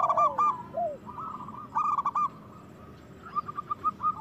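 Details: Local zebra dove singing to draw reluctant doves into song and breeding: low falling coos open, then rolling clusters of quick staccato notes come in clipped bursts, with a faint higher note trailing.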